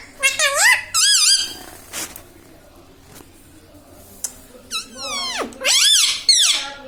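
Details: Pet parrot talking indoors, saying "Mummy": bursts of high, harmonic, warbling syllables with wavering pitch, a long downward-sliding swoop midway, then more bright screechy phrases, separated by quiet gaps in a small room.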